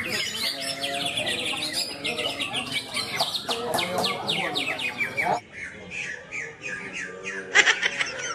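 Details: Greater green leafbirds competing in the cucak ijo class of a bird singing contest in Malinau, North Kalimantan, Indonesia; dense overlapping rapid chirps, whistles and trills from several birds, with a brief lull near the end and human voices underneath.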